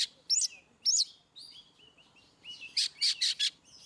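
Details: Ngeplong song of an Oriental magpie-robin, played to spur birds that seldom sing; sharp high upswept notes, a few soft drawn-out whistles, then a run of four loud harsh buzzy bursts.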